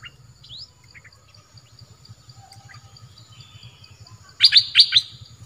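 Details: Song of a southern dok taeng bird, used for training young birds to sing along: soft scattered chirps, then a loud burst of four sharp, sweeping whistled notes near the end over a low pulsing hum.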